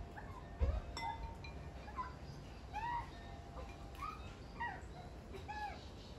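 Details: Australian white-backed magpie family, visiting daily and coming up to the back door demanding food, give clear, fluty, arching whistles, several overlapping and bell-like, a note every half second or so, over a low rumble.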